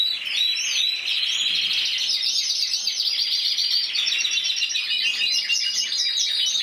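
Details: Intense yellow canary, single bird crowned 2014 Spanish champion at 94 points, opening with a few sweeping upslurred notes before a run of rapid, high repeated trills and twitters.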